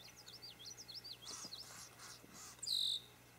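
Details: Red-winged blackbirds defending their nest against a white-tailed deer close by: a quick run of faint, zigzagging high chirps, then one loud, level, piercing whistle near the end.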